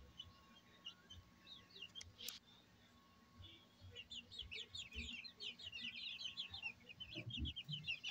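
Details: Brahma chickens at a breeding farm in Barreal de Heredia, Costa Rica: a quiet start with a brief sharp click, then dense, overlapping high thin chirps, many short downward-sweeping peeps in rapid irregular succession, over a low background hum.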